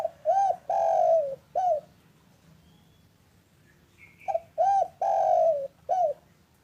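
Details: Local spotted dove calling in the afternoon, used to prompt silent or reluctant doves to call. Two cooing phrases, each a short rounded coo, a long wavering coo and a short closing coo. Faint high chirps come between them.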